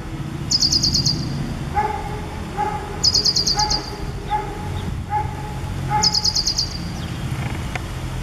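Ashy prinia giving short, high, rapid chattering bursts about every three seconds, over lower, evenly spaced piping notes and steady background noise.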